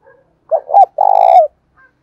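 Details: Spotted dove decoy bird used to lure wild doves, with a 'thổ pha' voice style, calling to provoke rivals: two quick low hoots followed by one long, slightly vibrating coo that drops at the end.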